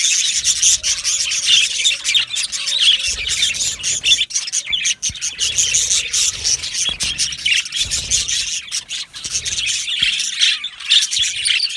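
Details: Several yellow male budgies in an aviary colony chirp and warble nonstop, a bright high chatter with sharp ticks and a faint low steady tone early on.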